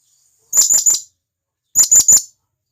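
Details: In the forest a wild blue-crowned hanging parrot calls its companions, giving two triplets of sharp, strident high squeaks roughly a second apart.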